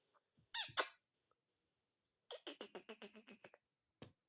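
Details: Black francolin (kala teetar) in Sindh, Pakistan, calling at 8:45 at night: two loud, harsh rasping notes, then after a pause a rapid run of about ten short, clipped notes within roughly a second, over a faint steady high whine.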